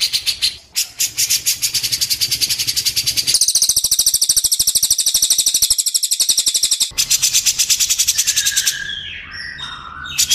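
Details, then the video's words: Cililin singing, offered as a tutor sound for white-rumped shamas: long runs of rapid, buzzy, evenly repeated high notes broken by brief pauses, then a softer descending twitter near the end. "cililin vs cucak jenggot - masteran murai batu"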